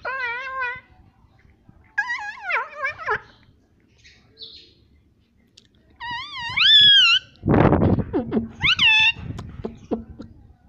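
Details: Talking parrot kept as a pet, giving a series of warbling, nasal, speech-like phrases with wavy pitch, some short, some drawn out; a loud rushing noise burst interrupts midway, with faint background sounds.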